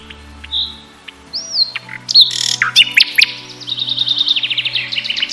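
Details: Nightingale singing: long pure whistled notes, then sharp broadband notes, ending in a fast run of repeated high chips.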